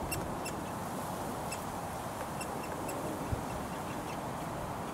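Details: Hungry woodpecker fledgling being fed, Surrey front garden near a road, June 2022: short harsh ticking calls, a few clustered then spaced out, partly masked by steady passing-traffic noise.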